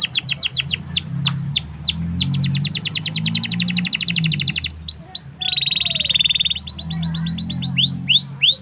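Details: Canary in full song with long rolls, used as a lure to teach young canaries to sing: rapid runs of descending whistled sweeps, fast chattering trills, then a sustained buzzy roll of about a second before more sweeping notes, over a steady low hum.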